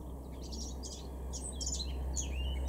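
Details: Eurasian blackcap male in a garden at Weener, East Frisia, northwestern Germany, in April 2021, giving a short burst of quick, scratchy high warbling notes in rapid sequence over a strong low humming background.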